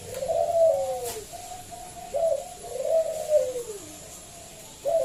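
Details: Local wild zebra dove, loud-voiced, used to lure other doves into singing: soft, rolling coos that rise and then fall in smooth arcs, several in a row with no stutter notes.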